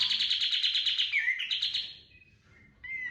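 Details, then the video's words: Fast, pulsing buzzy trill of a kapas tembak bird, lure song for bird training, breaking into slurred whistles and ending with a short rising whistled note. "PANCINGAN BURUNG KAPAS TEMBAK GACOR FULL TEMBAKAN TERBAIK 2025"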